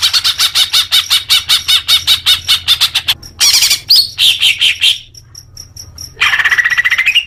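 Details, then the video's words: Rapid pulsing chatter from a greater green leafbird, used to encourage caged birds to sing more, running about two and a half notes a second, followed by squeaky phrases, soft high ticks and a lower buzzing trill. "Suara Cucak Hijau Biar cepat gancor"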